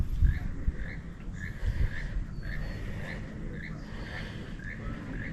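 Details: Keel-billed Toucan, Belize's national bird, heard at the Xunantunich Mayan ruins near San Ignacio, Belize, gives a croaking, frog-like note repeated about twice a second, faint against heavy wind rumble.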